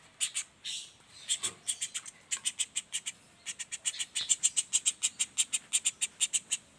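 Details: Common flameback juvenile calling in short, harsh notes. The delivery is at first irregular and broken by faint rustling, then settles into a steady fast series toward the end.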